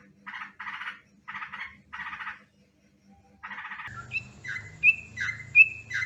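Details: Lure recording of yellow-vented bulbul for bird trapping: several rasping chatter bursts with a short pause, followed by clear whistled notes that rise and then drop, repeated a few times.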